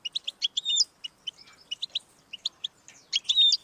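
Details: Goldfinch song to stimulate a pet goldfinch, with quick chirps, a clear whistled note, scattered tinkling notes, then a final buzzy flourish with a whistle.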